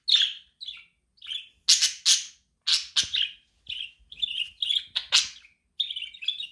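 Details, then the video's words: Budgerigar chirping, a pet budgie; a rapid series of short, bright chirps and harsher broadband chatters, some notes wavering, in bursts with brief pauses between them. "Cute Budgie Different Chirping Sounds"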